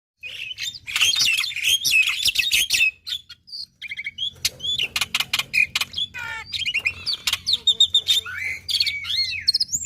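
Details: Vocal black-winged myna, played as a lure to get quiet mynas singing: harsh chattering bursts and scratchy notes, then a string of sharp clicks and short whistled phrases, over a faint low hum.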